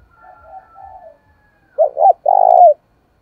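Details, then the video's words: Thổ-voiced spotted dove calling to challenge and attract wild doves. Faint, muffled cooing gives way to a loud phrase: two quick throaty notes, then one sustained burry coo. "cu gáy thúc đấu/ bổi nghe là gáy, giọng hạp bổi, bổi rừng nghe là về cội"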